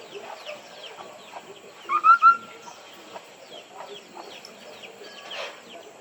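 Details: White-browed laughingthrush song used to call in other birds: soft scattered chirps, then three loud whistled notes in quick succession near the middle, ending in faint buzzy twitters.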